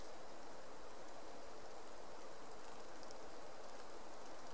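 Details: Steady rushing water like a stream or rain, with no animal voice heard.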